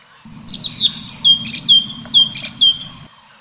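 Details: Orange-bellied leafbird (cucak cungkok) in full tembakan, a continuous song style: clear downslurred whistles alternate with sharp high chirps, about two notes a second, over a steady low hum.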